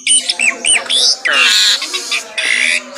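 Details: Asian pied starling singing in the morning, short hooked whistles followed by long harsh buzzy squawks.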